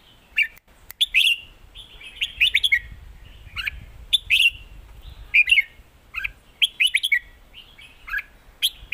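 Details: Caged red-whiskered bulbuls compete in song, answering flower for flower in southern Thai master-style singing; bursts of clear warbled whistles with slurred notes, several quick phrases in a row, soft background rumble.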